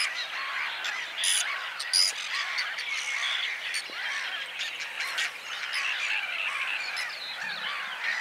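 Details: Whiskered terns give a steady wash of rough, grating calls, with a few louder harsh bursts near the start.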